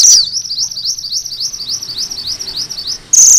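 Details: Sunda bush warbler in full song, delivering its rolling ngerol style: a fast, even train of high, thin upslurred notes, about six per second, opened and closed by brief louder, harsher bursts.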